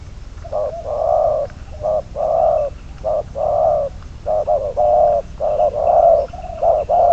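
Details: Spotted dove kept as a decoy bird for trapping, bird number 22; deep hollow cooing given in repeated phrases, low rounded notes in short bursts about a second apart over a faint rural background.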